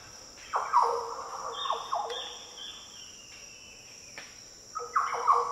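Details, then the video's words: A Green Oriole in the Daintree rainforest, Australia. Its deep, liquid song opens with a falling fluty phrase, then pauses and returns with two short whistled notes near the end, over a constant high insect hum. "Green Oriole Sounds - The deep, liquid calls & song of Green Orioles in the Daintree rainforest."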